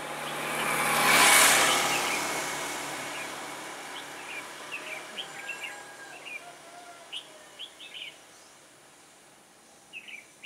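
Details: ['Red-whiskered bulbul of the cui lân and yếm đậm types, recorded during trapping with a caged decoy bird on 21 October 2017, singing a fighting song. A loud rushing whoosh fades into short scattered chirped notes over steady outdoor hiss.']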